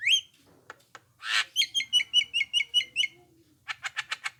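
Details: Black-winged myna calls meant to make other mynas respond: a whistled note and harsh rasp, then a rapid string of about ten clipped, looping whistles, closing with a fast run of buzzy chatter notes.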